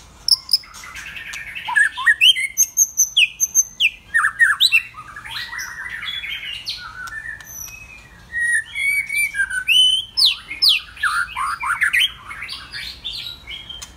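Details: White-rumped shama singing loudly: a rich, varied stream of bright whistles, rapid chirps and sweeping phrases, bursts tumbling one after another with a brief pause mid-way, clean and close with no other sounds.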